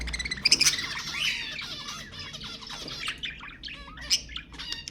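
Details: Budgerigars played to stimulate mating: dense, fast chattering warble of scratchy chirps, clicks and short squawks, bright high notes rising and falling without pause over five seconds.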